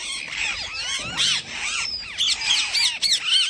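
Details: Parrot giving its natural chirping, not mimicry: rapid high whistled chirps sweeping up and down, dense overlapping squeaky notes in quick succession with brief harsher bursts.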